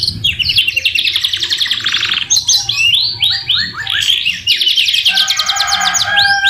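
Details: Kenari singing a masteran song full of white-rumped shama (murai batu) phrases: loud rapid trills, a chain of short rising whistles, then bright fast rattles over a low steady warble.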